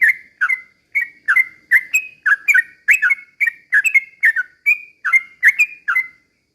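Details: Sooty-headed bulbul in energetic slow-rolling song, played to goad other bulbuls into singing agitatedly: evenly spaced short whistled phrases, some doubled, about two per second, clean background.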